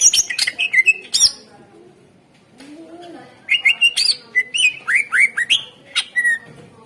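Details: Greater green leafbird song meant to trigger singing in other birds: rapid chattering notes at first, a brief lull, then a long fast series of slurred whistles and sharp chips.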